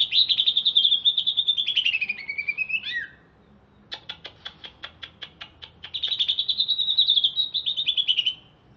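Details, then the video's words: Greater green leafbird from Alas Purwo, Banyuwangi, in a cage in Jatiasih, Bekasi, singing after a bath: a long wavering whistled trill sliding downward, a pause, a row of even clicks, then the trill returns. "Cucak Ijo Alas Purwo Cerewet"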